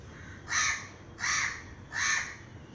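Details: Three loud, rasping crow caws spaced about three quarters of a second apart, each harsh and slightly drawn out, with quiet background between them.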